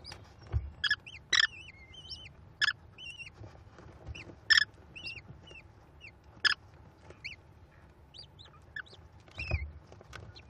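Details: American kestrel nestlings being fed by the female at a Cornell nest, 18 May 2021: repeated short harsh squealing bursts mixed with thin, rising and falling high chirps, plus occasional low thumps.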